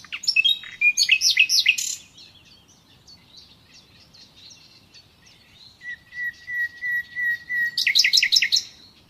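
A nightingale sings rich, varied phrases: rapid chattering trills, a long pure whistled note building into a loud repeated rattle, with pauses between.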